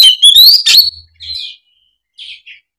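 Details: Oriental magpie-robin in fighting mode, used as a lure for reluctant magpie-robins. A loud rising whistled phrase with a harsh burst opens, followed by a few softer trailing notes and silence.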